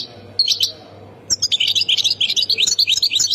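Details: Song of a European goldfinch from Khemis Miliana, Ain Defla province: a few high notes, a pause, then a rapid chattering run of sharp, twittering syllables, with a faint low hum behind.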